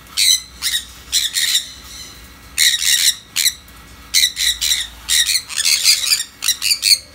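Sun conures give loud, harsh screeches in quick bursts, one after another.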